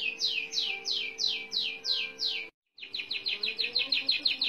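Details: Canary in full song, delivering a long continuous roll of rapid descending whistled notes, about three per second, then a brief gap and a faster run of repeated notes.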